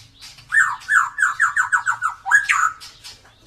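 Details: Drooping-tailed white-rumped shama from Indonesia, singing as a lure for birds that rarely sing: a fast series of about ten repeated slurred whistles, then a sharp upward-sweeping note and softer trailing chatter.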